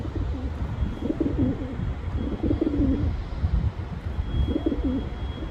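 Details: Pigeon cooing: three low, rolling, throaty coo phrases spaced about one and a half seconds apart, each a burbling rise then falling tail, over a steady low rumble of background noise.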